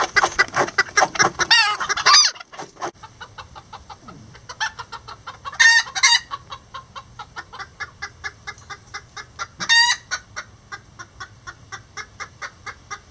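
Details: Lavender bantam chickens, rare miniature roosters with a hen, building a nest together; repeated short clucks and chattering calls throughout, with several louder, harsh squawking bursts.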